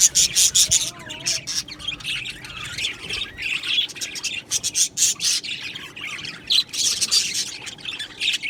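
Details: Aviary colony of Australian budgerigars: loud, choppy bursts of shrill chirping and squawky chatter from many birds, broken by brief gaps, with a few low wavering warbles beneath.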